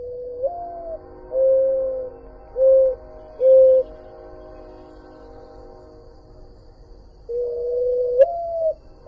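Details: A Mourning Dove (Zenaida macroura), heard on a night hike, gives its soft, low, owl-like cooing often mistaken for an owl: a drawn-out rising first note, then three steady hoots, the phrase restarting after a pause.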